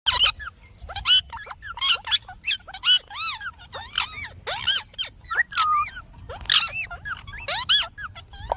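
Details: Parrot in a home setting giving rapid, repeated harsh chattering and squawking notes, many short bursts rising and falling in pitch over about eight seconds, with steady low background hum.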